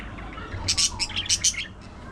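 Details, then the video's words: A budgerigar gives a quick run of loud, bright, high chirps, five or six sharp notes bunched in under a second, then falls quiet over faint low hum. "Budgie Moments: Gossip"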